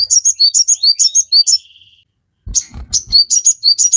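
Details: Captive-bird training recording of a crimson sunbird: bright high notes alternating upslurred and sharp, repeated several per second, a short faint buzz, then the chirping resumes over low thuds.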